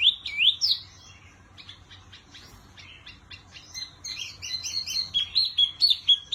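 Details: Wambi singing loud twisting whistles, then a softer spell of scattered clicks and chirps, building into a dense, rapid series of bright warbled notes.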